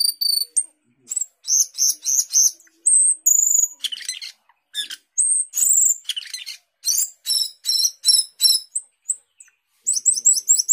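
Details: Asian glossy starling (cucak keling), a fruit-eating starling noted for mimicking many birds, singing energetically: a long varied stream of high whistles, sharp clicks and downslurred notes with brief gaps, including quick repeated whistled phrases.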